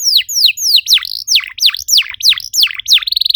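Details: Lure song of a canary for encouraging others to sing: a chain of swooping down-up whistled notes about three per second, closing with a very rapid tight trill.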